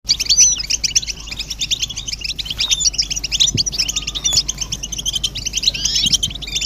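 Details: European goldfinches in a group twittering chorus, described as mating and readiness calls that stir males to sing: dense, rapid, high chirps and tinkling notes pour out continuously with no pauses, over a faint low steady hum.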